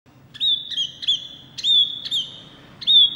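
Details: Small wambi white-eye singing energetically and loudly: a series of clear, high whistled notes, each slightly wavering then held steady, repeated about once every half second with short pauses, over faint low background hum.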